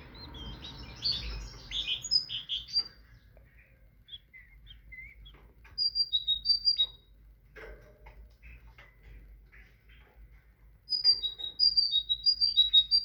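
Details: Tit singing: after a cluttered, chirpy opening, clear high whistled note pairs come in two bursts, each a quick run of descending paired notes repeated several times, with quiet gaps between.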